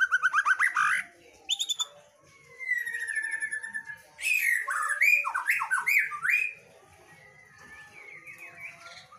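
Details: Female white-rumped shama, a cage bird, in full song: a quick run of repeated chips, then a long sustained whistle, bursts of loud tumbling and trilling phrases, and softer thin notes fading toward the end.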